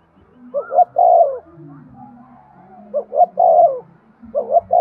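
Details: Spotted dove coos meant to prompt male doves to coo: two full phrases of short hooting notes leading into a long, hollow, falling coo, then the start of a third, against faint low hum.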